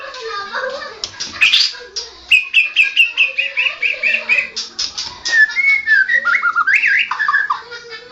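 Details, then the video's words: National champion white-rumped shama in gacor ngoceh style: busy chattering opening, a rapid series of repeated stuttering notes, then slurred whistles rising and falling. "Burung Murai Batu Juara nasional murai batu ngoceh ngerol gacor"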